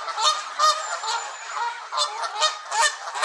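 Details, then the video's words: Canada geese at Elvaston Castle, 3-10-15, the culprits making the gaggle angry: loud, close, rapid harsh honks repeated about twice a second, rasping and nasal, overlapping other geese. "Angry Canada Geese"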